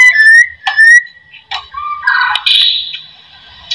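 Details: White-rumped shama song used to coax other shamas into singing: pure steady whistled notes, a brief sharp burst, then lower whistles rising into a louder, buzzier warbled phrase before fading.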